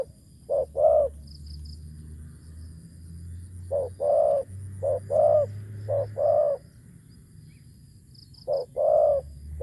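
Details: Spotted dove kept as a decoy for luring wild doves, a deep-voiced bird, giving low hollow coos in short phrases of two to four notes with pauses between phrases, over a faint low hum.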